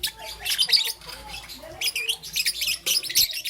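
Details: A young peach-faced lovebird, green and yellow, chirps in the morning with shrill scratchy squeaks and short squawks, broken by a quieter stretch in the middle.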